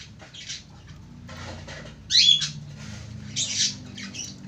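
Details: Lovebird singing in the ngekek style, a long-duration chattering song: harsh, raspy squawks in short bursts, the loudest a sharp screech near the middle, over a low steady hum.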